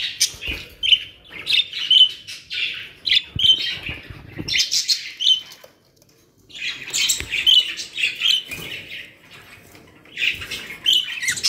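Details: Caged budgerigars from a home bird collection in Pakistan, chattering in bursts of shrill chirps and short whistled notes, with quiet breaks between the bursts.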